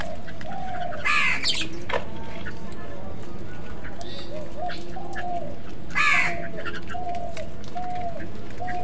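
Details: Crows fighting other birds for food give two loud, rasping caws a few seconds apart, while softer tonal calls from other birds run between them over constant low-pitched background noise.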